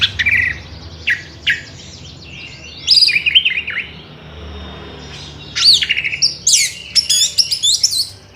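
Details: Orange-headed thrush in evening song, used as a lure to stir others into singing: loud phrases of sliding, rising and falling whistles and twittering notes, separated by short pauses, with faint low background noise.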